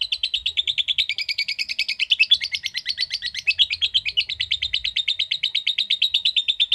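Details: Lovebird giving a long ngekek, the drawn-out chattering trill, in the typing-like ngetik style. A rapid, unbroken string of bright, scratchy notes at about nine per second runs without a pause for nearly seven seconds.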